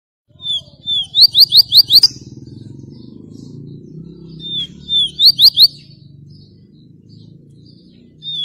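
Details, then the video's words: Double-collared seedeater singing the exceptional 'tui tui viviti' song style: two phrases, each opening with short whistled slurs that lead into a quick run of four or five bright upswept notes, over a steady low hum. "Golinho Tui Tui viviti fora de série"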